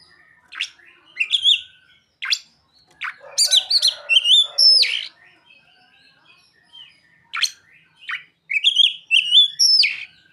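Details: Oriental magpie-robin song including ciblek and sogon imitations: spaced sharp clicks and chips, then fast bursts of high twittering whistles with upward flicks, repeated in two clusters separated by quieter pauses.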